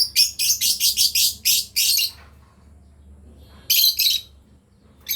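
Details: Lovebirds, a breeding pair, chirping: a burst of shrill, harsh chirps repeated rapidly for two seconds, a pause with only a low hum, then another short harsh burst.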